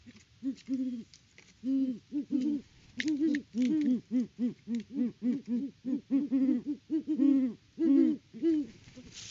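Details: Great horned owl pair, male Clyde and female Bonnie, at their nest tree on a Kansas farm, 17 October 2023, hooting in a rapid run of deep, soft, rising-falling hoots, nearly two per second, overlapping in a lively duet while Clyde digs in the nest.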